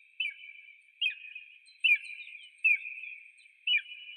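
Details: Eagle call: sharp, thin whistled notes, each trailing into a drawn-out ringing tone, repeated roughly once a second, five times.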